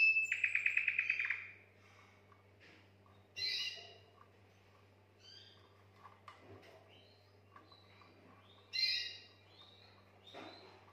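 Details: Canary song meant to stimulate females for mating: a fast rolled trill of rapidly repeated notes opening the passage, then scattered short chirps and buzzy bursts separated by quiet pauses over a low steady hum.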